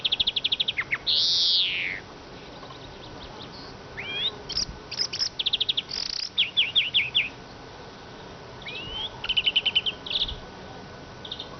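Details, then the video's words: Eurasian siskin in lively twittering song: clipped trills, a loud drawn-out wheezy note, looping whistled slurs and repeated short rattles spread across the phrase, against a quiet hiss. "iskete kusu sesi"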